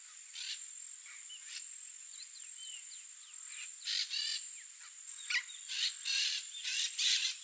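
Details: Wild blue-fronted amazon pair in Brazil during nesting season, tending the area around the nest: a few harsh, harmonic squawks near the middle and end, with many thin chirps from other birds and a steady high insect drone.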